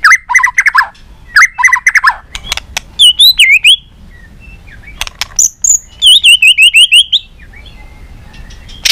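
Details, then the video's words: Shama song for stimulating shamas to sing in many voices: choppy warbled bursts and sharp clicks, then high wavering whistles and a rapid trilled series of zigzag notes. "Kích Chòe lửa hót nhiều giọng, Căng lửa, chòe lửa đánh đuôi kích cực nhạy.luyện chòe lửa hót nhiều"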